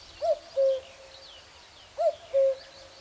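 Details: Common cuckoo calling in spring: two clear hooting cu-coo phrases about two seconds apart, each a short higher note dropping to a longer, steady lower note, over a quiet background.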